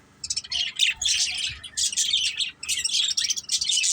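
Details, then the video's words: Budgerigars of one family chirping while playing: dense, buzzy, high warbling in quick bursts, broken by a short pause near the middle, with scratchy squawk-like notes mixed in. "Beautiful Budgies Chirping Sounds"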